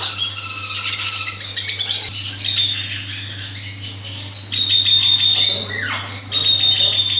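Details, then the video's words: Busy parrot chatter of rapid, high, scratchy chirps and squawks, about three per second, with a falling whistled note near the end and a steady low hum throughout. "parrot مَٹو ولایتی مِٹو توتا"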